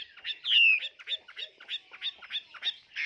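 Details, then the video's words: Tame caged Chinese hwamei singing in a lively way: a loud whistled phrase sliding downward, then a string of short, evenly spaced chirpy notes, roughly four each second. "Hoạt Họa Mi"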